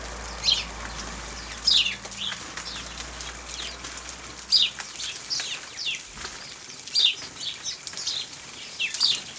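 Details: Several house sparrows bathe in dust and water in freezing weather, 0 °C, on 14 December 2009. Quick, high chirps sound at irregular intervals against soft hissing and rustling.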